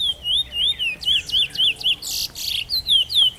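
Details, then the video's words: Trinidad bullfinch (chestnut-bellied seed finch) recorded in 2014, singing a continuous run of sweet, slurred whistles that rise and fall rapidly, about three phrases per second, over steady low background hum and a brief rustling burst midway. "Trini Bullfinch"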